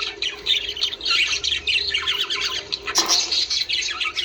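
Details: Budgerigars in breeding-stimulation chatter: busy, squeaky warbling with whistled notes, broken at three seconds by one loud, harsh burst, then more twittering.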